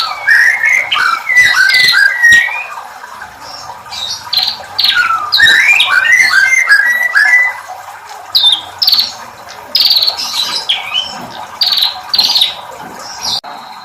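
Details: Bar-winged prinia song with a female prinia's voice mixed in, Indonesian kicau style: rapid, varied chattering phrases of squeaky, warbled notes, bursts of sharp high chips and upward-sliding whistles through most of the recording.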